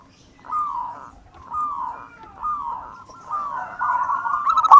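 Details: Local wild-type zebra dove in full song, a recording used as a lure for other birds: four smooth rolling coo phrases, each about a second long, growing louder toward the end over faint low background noise.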